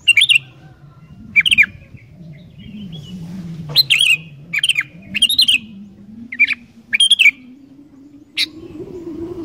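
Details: Sooty-headed bulbul singing vigorously to trigger song in wild bulbuls: a busy series of short warbled whistles, some doubled, at irregular intervals, over a rising low background hum.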